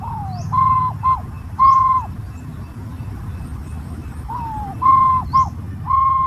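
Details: Green pigeon whistling: a falling note, then paired short level whistles in two groups about four seconds apart, with low background rumble.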